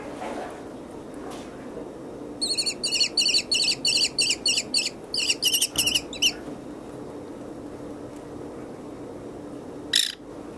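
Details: American kestrel at a wildlife hospital, where an orphaned fluffy chick was placed with a captive adult male as foster father: a rapid series of about twenty harsh, shrill, high notes in bursts over four seconds, then one lone note later, over steady hum.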